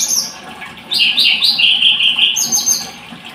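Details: Scarlet-headed flowerpecker singing: a run of high, thin chirping notes, clustered and fairly quick, some clipped and some slightly drawn out, with a faint hiss beneath and no other clear sounds.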